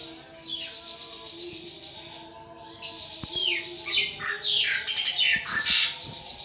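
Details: Caged pet thrush from Indonesia singing ngeplong style; after a quiet start, loud harsh buzzy bursts and descending squawky phrases build in the second half, with a faint steady hum behind.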